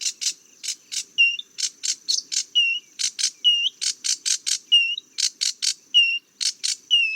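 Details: Song of a sedge warbler: quick bursts of dry, grating chips alternate with short, pure, down-slurred whistles, repeated again and again in a lively, irregular stream.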